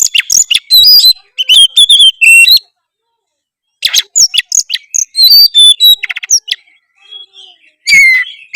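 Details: Loud oriental magpie-robin song of varied whistles, chips and rising slurs in bursts of a second or two, broken by pauses, with brief buzzy notes mixed in.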